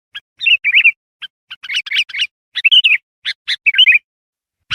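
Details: Sooty-headed bulbul song as a lure for wild birds, a busy mix of short warbled phrases and crisp high chips delivered in uneven bursts.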